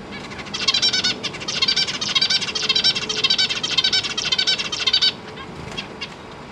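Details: Zebra finch family in a big cage, parents feeding newly fledged and juvenile young, GoPro Hero 8 with a faulty mic: loud, dense, rapid buzzy chattering pulses for about four seconds, then a few isolated beeps against background hiss.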